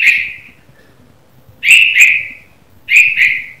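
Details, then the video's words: Red-vented bulbul chirping in the morning: three sharp, bright double-noted chirps, each a quick pair of notes with a falling tail, separated by short pauses over a quiet low hum. "Red Vented Bulbul Chirping Sound - The Morning Sound Of A Bulbul Bird"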